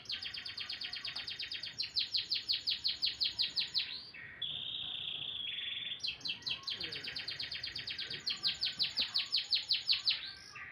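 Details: Canary in full morning song, loud and continuous: long runs of rapid, evenly repeated sharp notes alternating with a short steady buzzy trill, then the fast repeated notes resume.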